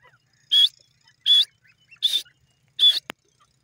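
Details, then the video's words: Grey francolin (desi teetar): four loud, harsh high notes, each with a brief tonal whistle, repeated about every 0.75 seconds against quiet, followed by a sharp click. "dasi teeter ke hiran kun boli,teetar bird sounds"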